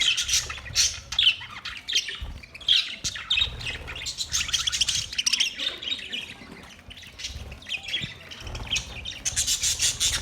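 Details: Colony-kept budgerigars chirping steadily; many overlapping high, scratchy twitters and short squawks forming a continuous chatter over ten seconds.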